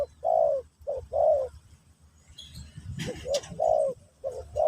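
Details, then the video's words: Spotted dove cooing in the pesom or kacuk style for a new bird's teaching session. Paired mellow coos repeat with a brief sharp clatter in the middle of the phrase. "Burung Terkukur Pesom/Kacuk...Sesi Mengajar Burung Baru"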